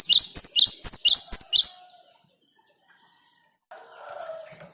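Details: Gelatik batu, the great tit, singing wild in a rolling 'ngerol' run meant as a lure: rapid high paired notes for under two seconds, then silence and a soft, lower murmur.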